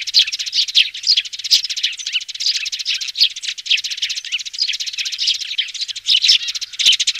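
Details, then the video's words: Loudspeaker lure of young sparrows calling, in the style known as 'tiếng xuống', used by sparrow trappers: unbroken busy twittering, many overlapping high chirps pulsing in short bursts over several seconds. "Tiếng Chim Sẻ Non ( Tiếng Xuống)"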